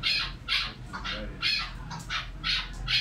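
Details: Chukar calling with a rhythmic series of coarse, scratchy chuck syllables, about seven in three seconds, some louder than others, above a low steady background hum.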